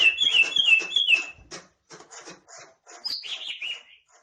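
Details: Green leafbird kept as a cage bird, singing with its tail fanned: bright whistled phrases around mid-high pitch, quick repeated slurred notes, then scattered chips and a final rising-falling whistled flourish.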